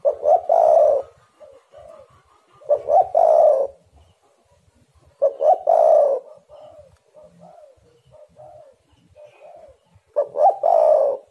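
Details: Spotted dove calling, played to excite doves into cooing: four hoarse, rolling coo phrases at uneven spacing, every one opening with quick paired notes, with soft low coos filling the gaps.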